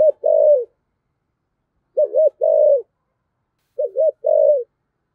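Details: Rich 'giọng thổ' coos of a spotted dove, played to stir a newly caught dove into calling: three deep phrases about two seconds apart, each a quick doubled note and a sustained, gently falling note.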